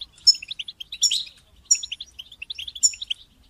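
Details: European goldfinches in group chattering song, meant to help goldfinches sing through moult: high tinkling twitters and bright liquid notes in rapid overlapping bursts, about four phrases in under four seconds.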